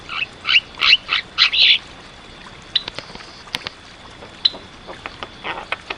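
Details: Javan myna, jalak kebo, delivering gacor masteran song: a run of six loud rasping squawks about a quarter second apart, followed by scattered sharp clicks and short chattering notes over a steady faint whine.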